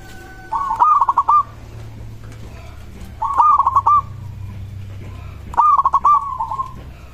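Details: Three song phrases from a local zebra dove, a song said to be liked by other doves and to prompt their replies: each is a rapid stutter of notes and a trailing coo, repeated about every two and a half seconds over a low hum.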